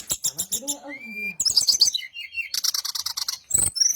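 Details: Brown-chested jungle flycatcher song played to lure other birds into responding: rapid rhythmic chirps over low rising tones, then a bright burst of high whistled notes and a fast, even chirping series.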